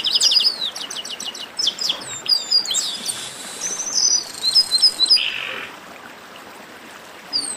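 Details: Flock of chestnut-capped blackbirds in a 'baderna' chorus, opening with rapid repeated high chips, then tumbling slurred whistles and buzzy notes over several seconds before fading into quiet.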